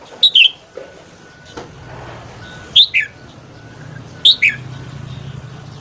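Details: Red-whiskered bulbul morning song, used for voice training and to stimulate other bulbuls to sing: three short bright chirpy phrases, each a quick high twisting flourish, spaced about two seconds apart over a faint steady whine and low hum.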